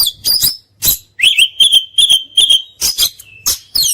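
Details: Oriental magpie-robin (kacer) training song, full of fills and bursts: a sustained whistled note near one pitch, broken by sharp clicking chips and short high squeaks, with brief silent gaps.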